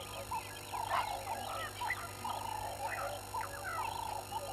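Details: At 05:17 on 11/01/21, a live camera over Gowrie dam on Djuma Game Reserve in South Africa's Sabi Sand Wildtuin catches hadeda ibis giving loud, raucous, repeated honking calls. Higher chirps from other birds sound between them, over constant background hum.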